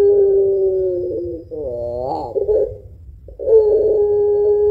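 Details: Spotted dove of the puter pelung style, known for long singing and a deep ending, used as a lure: steady coo, arched wavering notes climbing then settling, a moment of silence, then the level tone returns.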